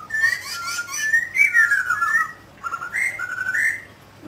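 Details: A mutant grey laughingthrush sings and dances, giving loud, rich whistled phrases, sliding and warbling, with a brief pause before two more fluty, rising notes.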